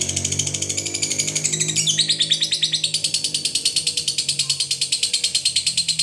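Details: Long ngekek trill of a fighter lovebird, used to make other lovebirds agitated and join in: a continuous, very rapid high chatter of evenly pulsed notes throughout, over a low background hum.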